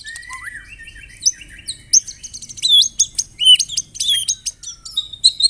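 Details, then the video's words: White-rumped shama singing canary and cililin imitations: a rising whistle, then clipped, scattered high chirps and bent whistled notes. "MURAI BATU ISIAN KENARI, CILILIN SUPER NEMBAK"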